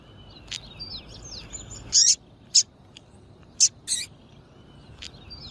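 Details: Female double-collared seedeater piping to excite males for singing tournaments: four or five short, shrill high chips at irregular intervals over soft twittering of other birds.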